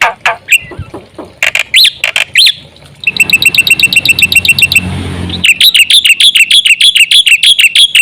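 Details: Black-winged myna used as a lure, giving loud separate squawky notes, then fast ticking high trills over a noisy hiss, followed by quick runs of sharp, rising chatter.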